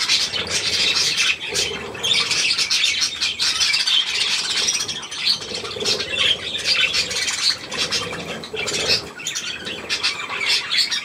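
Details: Budgerigar group including young, recorded 3 May 2024 with millet, keeps up an unbroken warbling chatter of harsh and squeaky notes over eleven seconds, plus some low soft sounds.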